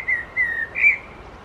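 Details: Common Blackbird singing in the background in Helsinki, Finland, in July 2024, while a Hooded Crow preens on a stone nearby; three short, clear whistled phrases at a steady mid pitch, the last one slightly higher and louder, over faint outdoor hiss.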